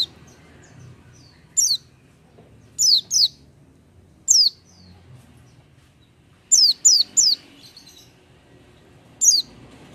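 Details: Oriental white-eye in full song without stimulants, with high, thin, descending chirps, some single and some in quick runs of two or three, scattered irregularly over ten seconds against a near-silent background.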